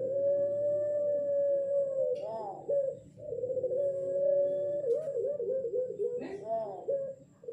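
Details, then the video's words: Six-month-old pelung-style ring-necked dove practising its coo in darkness, said to sound like a wolf howling: sustained steady mid-pitched notes lasting about two seconds, each ending in a quick wavering wobble, with a soft hum beneath. "Burung Puter Pelung Suara Mirip Srigala Mengaung"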